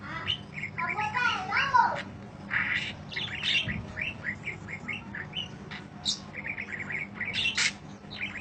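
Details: Budgerigar in long chirping song used as mastering audio for other birds: busy warbling with wavering twittered phrases, many short sharp chirps and some high squeaks, steady low hum behind.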